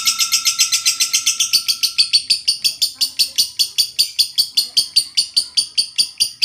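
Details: Lovebird giving a long 'ngekek panjang' chattering song as a training recording for other birds. Harsh, buzzy notes repeat steadily about six times a second. A thin steady electronic tone runs underneath for the first two seconds, in a small room.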